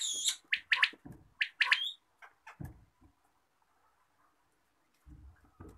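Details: Quail calling in the morning, bursts of short bright clipped notes in quick pairs and triplets for about two seconds, then near silence broken by low dull thuds.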